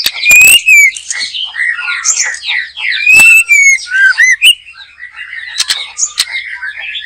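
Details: White-rumped shama in full song at a backyard trapping spot: rapid varied whistles and slurred notes, bright upslurred phrases punctuated by sharp clicks, continuous chattering between louder bursts.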